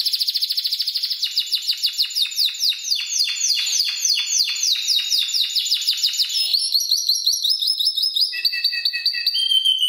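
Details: Spanish Timbrado canary, seven months old, trained on electronic timbrado voices, pours out a long trill of rapid falling notes that quickens, then turns to fine, high, chattering rolls.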